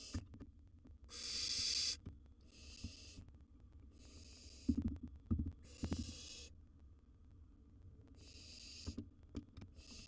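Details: Wild baby barn owl in a monitored nest box with a large gerbil as prey, giving six harsh, breathy hisses of about a second each, with soft thumps and scratching between.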